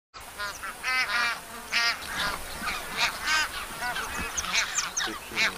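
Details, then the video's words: Several greylag geese honking: loud, nasal, trumpeting calls in quick bursts, several a second, with overlapping voices. "Greylag goose"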